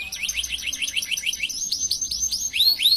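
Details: Canary in full gacor song: a fast rolling trill of short rising notes, then slower, longer upswept whistles, high and clear, continuous for the whole stretch with a quiet background.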